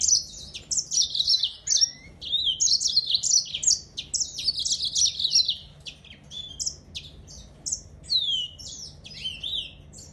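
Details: Yellow-fronted canary in bright, high-pitched song: quick warbled phrases and short trills at first, then more spaced, clear whistled slurs, against a soft low hum.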